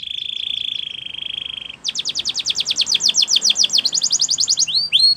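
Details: Belgian canary training song meant to get other birds singing: a steady high buzzing tour lasting nearly two seconds, followed by a fast pulsed trill of repeated notes and closing upward-swept whistles.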